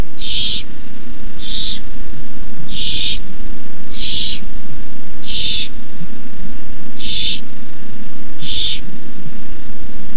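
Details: Barn owl owlets hissing at the nest at 9:57 pm on 18 May 2015 as an adult delivers a rabbit; seven broad, noisy hisses about a third of a second each, repeated roughly every 1.3 seconds over a steady low hum.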